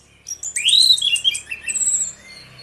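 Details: Orange-headed thrush delivering a loud 'ngeplong' phrase, part of a duo recording used to prompt other birds. A strong upward-sweeping whistle leads into warbled notes, then a thin high whistle trails off, over a faint hum.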